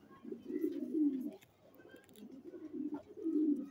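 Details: Checker racing pigeon giving continuous low, burbling coos that swell and fade, with a louder rolling phrase at the start and again at the end.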